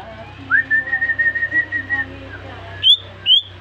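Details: Caged greater green leafbird, newly bought, singing in response to whistling: a clear whistled note repeated rapidly for about a second and a half, then two sharp rising whistles.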